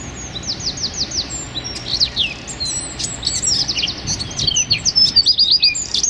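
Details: Wren used as a training recording for songbirds, singing in the rapid 'tembakan' burst style. High, thin notes come in quick rising and falling runs, with a fast repeated trill at the start and jumbled sweeps later. A low background hum is present.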